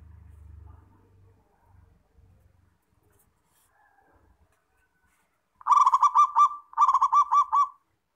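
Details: Local zebra dove, played as a tutor recording to prompt other doves to answer and sing. Faint low rumbling and near-silence come first, then two loud, quick phrases of rolling, pulsed cooing notes near the end.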